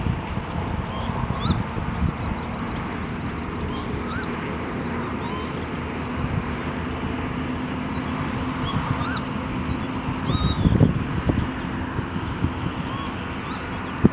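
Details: Northern lapwing (Vanellus vanellus) in Ankara, Turkey, 17 April 2017, giving short, wheezy, slurred calls every few seconds, high and thin above a constant low rumble of wind or distant traffic.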